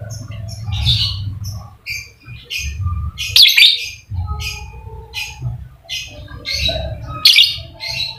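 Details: Lovebird, used as a lure to make a quiet lovebird sing actively (ngekek): an irregular stream of high squeaky chirps and short squawks over a low humming background.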